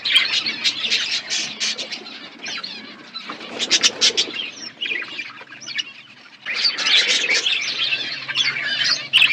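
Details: Pet budgies chirping as they eat, bursts of rapid overlapping chirps and chatter that drop to a quieter lull around the middle before the busy warbling resumes.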